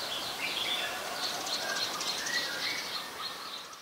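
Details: Oriental magpie-robin, a very common resident, singing in Ubon Ratchathani, Thailand, on 3 February 2023, filmed with a Nikon P1000: thin, high whistled notes and short varied phrases, fairly faint against a steady outdoor background hiss.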